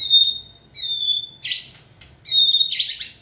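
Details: White-rumped shama stimulated to sing during training: clear, pure high whistles, each held about half a second, alternating with short buzzy, rasping bursts, all against a quiet room.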